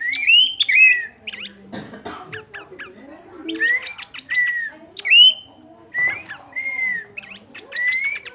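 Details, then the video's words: ['Clear, bright whistles from a pin-striped tit-babbler, each slurring up then down, alternating with quick chattering ticks; a brief knock and a low rumble sound in the background.'] "Burung planduk semak menghibur juga"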